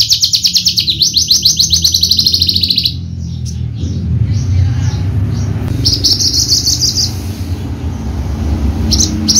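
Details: Contest-class Horsfield's bushlark of the javanica type with a rich repertoire. It opens with a fast, even string of repeated high buzzy notes, then goes quiet. Short bursts of similar high chatter return over a steady low rumbling background.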